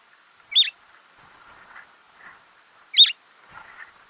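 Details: A Cape sparrow in a garden in Gauteng, South Africa gives two sharp, bright chirps about two and a half seconds apart, with soft distant twittering in the background.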